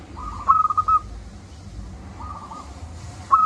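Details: Zebra dove of a local strain singing with a big voice, as a prompt for reluctant doves: a quick stuttered coo followed by a quieter trailing purr, with another burst starting at the end, over faint low hum.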